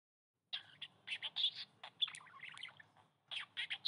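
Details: Budgerigar (Melopsittacus undulatus), chatter.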